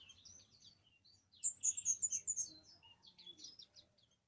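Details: Orange-headed thrush singing. After a quiet, scratchy opening comes a loud run of high, sweet whistled notes, followed by softer twittering phrases that fade out.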